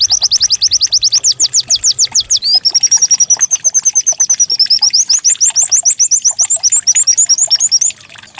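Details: White-eye song played as a lure to make the bird sing: fast descending high notes in a long rattle, shifting into thin sustained trilled notes, then rising chirps at the end.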